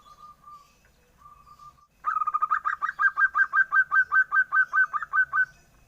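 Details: Young zebra dove, its voice likened to a duckling's: a few soft, level notes, a short pause, then a loud rapid run of about fifteen rasping, pulsed notes repeated evenly.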